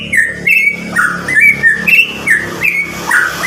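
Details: Nine-month-old Medan white-rumped shama in loud untutored song meant to spur juveniles; repeated slurred whistles about every half second, partly masked by broad background noise and low hum.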